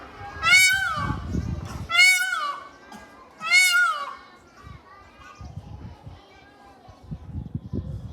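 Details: A peacock gives three loud, nasal wailing calls about one and a half seconds apart, each falling at the end, over faint low rumbling background noise.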